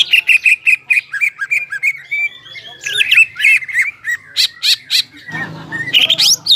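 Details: Vigorous song of a crested greater green leafbird, played to excite stressed leafbirds that stopped singing; evenly paced clear whistled notes about three per second, then twisting varied phrases and a faint low rustle near the end.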